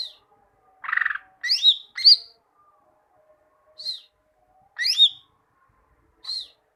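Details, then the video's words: Greater green leafbird (cucak ijo) song played as a tutor recording so caged birds sing often: separate loud phrases of high curved whistles and one harsh buzzy burst, spaced by short pauses. "Masteran cucak ijo, masteran burung cucak ijo agar cucak ijo rajin bunyi"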